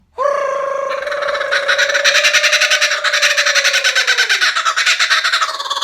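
A kookaburra breaks into its raucous laugh, a loud, rapid, pulsing cackle that rolls on for several seconds, over a steady, held, mid-pitched tone.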